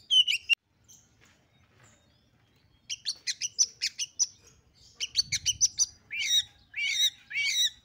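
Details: Female oriental magpie-robin used to provoke males. A short loud whistle opens, then after a quiet pause a series of rapid evenly spaced high chips, ending with three loud sweeping whistled phrases.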